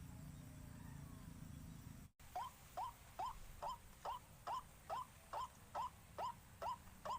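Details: After a short silence, a white-breasted waterhen begins a regular string of short rising notes, about two each second, with a low rumble audible before the calling starts.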